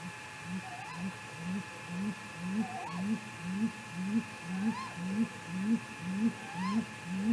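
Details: Great grey owl at night, 3:58 am on 15 May 2018, Mission Valley, possibly in a confrontation; deep hoots repeated about twice per second in a steady rising rhythm, with fainter higher upslurred whoops every two seconds over a constant hum.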